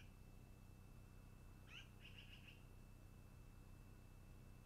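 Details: At a long-eared owl nest by day, one downward squeak is followed at once by a quick run of four or five short, clipped notes. A constant high tone and low hum run underneath.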